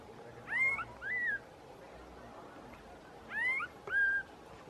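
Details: A female Barred Antshrike hopping in bushes on a farm at San Antonio de Oriente, Honduras, 29 June 2019, gives atypical nasal, mewing calls: two pairs of arched notes, repeated about three seconds later, over soft hiss.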